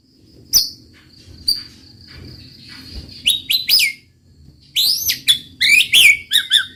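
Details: White-rumped shama singing loud sweeping whistles and rapid slurred phrases over a steady high insect-like drone, with quieter gaps in between.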